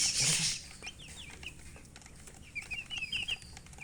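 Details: Baby chicks chirping after a loud rustling burst at the start; sparse thin peeps follow, then a rapid cluster of bright, slightly descending chirps near the end.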